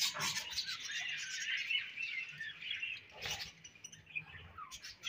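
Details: Soft, continuous budgie warble of quick, high chirps and scratchy twitters running without a break, fading slightly toward the end with a few sharper notes.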